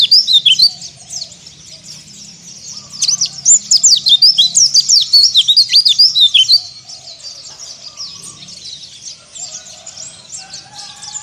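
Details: White-eye singing in the ngalas style, used as therapy to stir rival birds: rapid, very high, thin twittering notes, densest in a fast chattering burst midway, then softer continued twitters.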